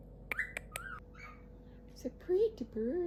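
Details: A snuggly, talkative pet galah gives a few quick squeaky chirps and clicks, then low, wavering, whispered speech-like mumbles while a person talks softly nearby.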